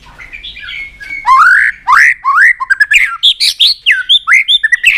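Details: Excited white-rumped shama, kept in a cage and stirred up while it beats its tail on the perch. Loud, varied song of rapid whistled notes, each bending sharply up or down, mixed with harsh clicks in quick succession.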